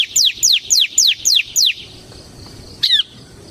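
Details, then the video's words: Bar-winged prinia of the semi type, singing gacor in ngebren style, used to lure and tutor other prinias: six loud, high, downslurred whistled notes in quick even succession, a short pause, then one more sliding note. "suara burung CIBLEK SEMI GACOR Ngebren"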